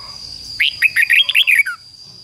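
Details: Decoy red-whiskered bulbul singing to lure wild rival birds into fighting: a single rapid phrase of about seven clear, warbled whistles, bouncing up and down, over a faint constant high-pitched whine.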